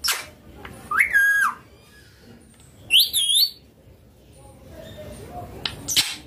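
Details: Pet rose-ringed parakeet, green ringneck, calling while eating chilli indoors; two short whistled, warbling squawks about two seconds apart, then quiet with soft clicks.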